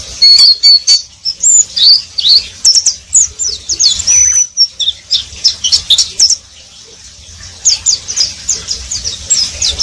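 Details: Oriental white-eye (pleci) singing in the riwik style, described as already riwik-singing: rapid high thin whistled chirps and twittering notes in quick bursts, with short slurred rising and falling whistles, and brief pauses between phrases.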